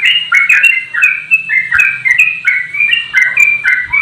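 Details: Straw-headed bulbul singing loudly while flapping its wings: rich, liquid warbled phrases rising and falling, delivered continuously in quick overlapping bursts.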